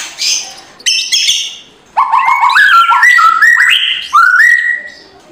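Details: Kretekan-style white-rumped shama song for provoking an idle bird in the morning: shrill opening notes, then a run of rising stepped whistles in a lower register, each phrase climbing before a final drawn-out note.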